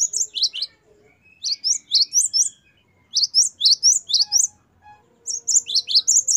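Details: Great tit (Parus major) singing lively, as a master song for training or luring: bright, high, sharply falling whistles in quick bursts of four or five notes, each burst separated by brief pauses.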